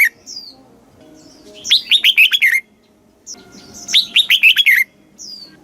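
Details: Southern master-style song of a caged red-whiskered bulbul, Thailand, used to stir birds and tutor young: two lively phrases of fast, dropping notes a second and a half apart, thin high whistles in between.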